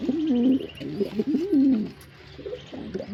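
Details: Two strong bursts of warbling, low coos from a male pigeon in the first two seconds, followed by quieter, fragmented cooing notes.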